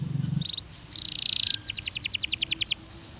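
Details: A Belgian canary sings more softly on this training recording: a short trill, a buzzy phrase, then about a dozen quick repeated notes, over a noticeable low background hum.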